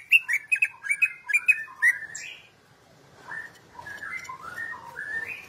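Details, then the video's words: Champion greater green leafbird used as a tutor, singing a fast string of sharp chirps, then softer, lower warbling whistles. "Masteran Cucak Ijo Juara Nasional ?!"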